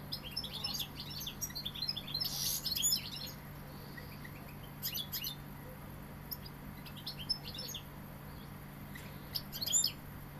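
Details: European goldfinch, described as Sevillian, delivering rapid twittering phrases of high tinkling chirps and buzzy notes, strongest early on, then sparse bursts separated by pauses, with a constant low electrical hum beneath.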